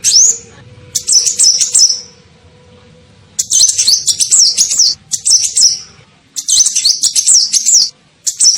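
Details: Sunbird, locally named kolibri ninja, giving a lure call to pull in birds: repeated bursts of fast, shrill, high-pitched twitters, five phrases of one to two seconds each with silent gaps between.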